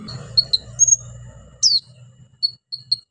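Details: Orange-headed thrush singing vigorously with loud 'shooting' bursts and mimicry fillers, played to stimulate silent birds: high level whistles and sharp chirps, one strong falling note, spaced irregularly against a faint low hum.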